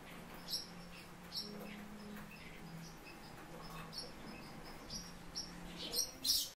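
Barn swallow giving short, high, sharp chirps, about one or two a second at an uneven pace, over a steady low hum.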